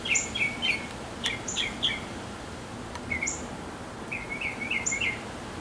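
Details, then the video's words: Backyard male mockingbird courting a female, giving scattered short phrases: doubled chirps, a few high thin notes, then a quick run of rising chirps after a pause, over steady background hiss. "Mocking Bird 200 Sounds to Get the Girl!"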